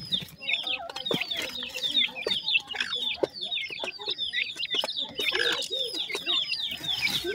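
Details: Young painted francolin chicks in their first days, a busy chorus of piercing, downward-slurred peeps tumbling over each other without pause, with scattered clicks and taps.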